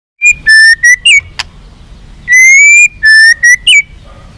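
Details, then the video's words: White-rumped shama song played to make captive birds more responsive and fighting: clear whistled notes, long level tones near mid-high pitch repeated in two phrases separated by a pause, with a sharp click between them. "SUARA BURUNG MURAI BATU FIGHTER"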